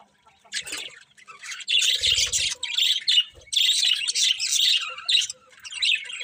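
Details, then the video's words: Birds chirping in the morning, bursts of shrill, squawky twittering that start after a quiet opening, with a few low thuds between phrases. "Cute Birds Chirping Sounds In The Morning"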